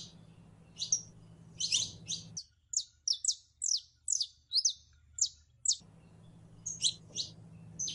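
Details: Female canary in heat calling a male to mate: short, bright downslurred chirps, about a dozen over eight seconds, some in quick clusters, over a steady low hum that briefly drops out mid-clip.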